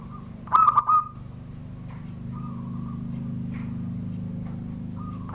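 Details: Captive zebra dove from Serang, Banten, Indonesia, perched below a door and cooing in the 'surung gdor' style: a rolling, purring coo at the start, a softer trill mid-clip, and another beginning at the end over a steady low hum.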